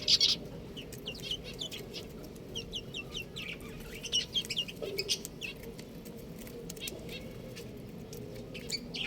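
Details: A brood of buff chicks chirps nonstop, high piping notes tumbling over one another, often in paired or tripled cheeps, steady from start to finish.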